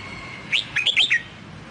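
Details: Red-whiskered bulbul in the Song Kon song style, meant for training a newly bought wild-caught bird: one quick phrase of about five bright, warbled, up-and-down notes in under a second, over a low background hum.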